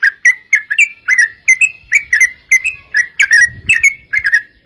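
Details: Chattering 'gacor' yellow-vented bulbul song, used as a lure to make other bulbuls sing back: evenly spaced bubbly two-note whistles, slightly rising, repeated roughly every quarter second, with a soft low rustle midway.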